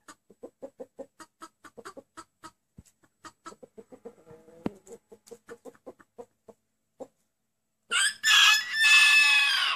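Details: Rooster said to crow 'anneanne', Turkish for grandmother. Steady soft clucking from the flock for several seconds, then a loud, strained crow in two rough bursts closing the recording.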